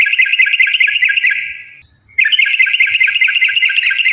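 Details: Long 'ropel' rapid-fire song of a lively yellow-vented bulbul, used to goad other birds into singing: a dense rattling trill, briefly broken near the middle, then resumed just as fast and continuous in a clean, quiet setting.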